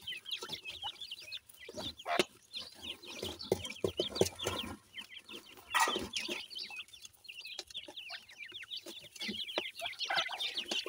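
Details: Grey francolin (partridge) chicks feeding together, giving a dense chorus of short high peeping chirps, overlapping and continuous, with occasional louder clucking notes and scuffling sounds.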